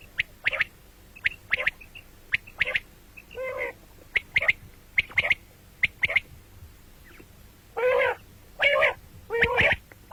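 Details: Common quail, morning and night, repeating short bright notes in twos and threes, interspersed with rasping banded bursts, with several harsher ones bunched toward the end.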